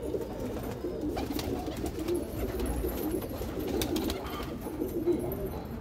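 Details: Domestic red desi highflyer pigeons coo in a loud, even, low-pitched rumble of many overlapping rolling notes, indoors, with occasional taps and rustles.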